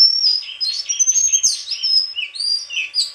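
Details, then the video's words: White-throated flycatcher singing a dense, continuous run of high, thin whistles and buzzy notes that slide up and down, with short rapid phrases running together throughout. "Sikatan krongkongan putih suara gak kalah sama burung kicau lain"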